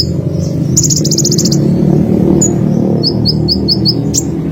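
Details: Olive-backed sunbird singing a high fast trill followed by a run of six quick descending chirps, set against a strong low rumbling background noise.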